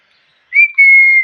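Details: A parrot's clear whistle: a brief rising note, then a long, pure, level tone held for about half a second, loud and clean.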